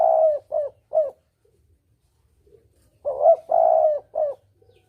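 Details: Spotted dove lure call of the double-kuk style for hunting, with clear, mellow coos grouped in short phrases of three, a long hummed middle note between brief ones, and a second phrase after a two-second gap.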